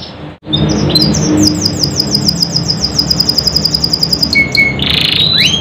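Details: Canary singing as a lure for quiet, lazy birds: after a short gap, a long series of quick high chirps runs evenly, ending in a steady whistle and a rough rasping note.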